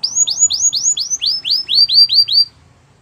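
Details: Song of a Gloster canary, a run of about ten rising-then-falling whistled notes repeated quickly, each sweeping upward and dropping back, ending in quiet.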